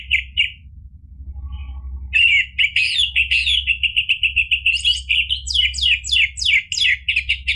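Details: Energetic 'ngeplong' song of an orange-headed thrush, used to stir other birds into answering song: a varied run of chattering, whistled notes that turns into a rapid repeated stutter, then sharp buzzy phrases that quicken toward the end, over a faint low hum.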